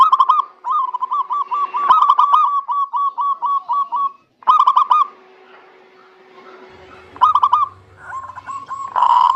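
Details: Zebra dove song used as a lure for reluctant doves: long run of evenly repeated cooing notes, then further short bursts after a gap, with a faint hum in the background.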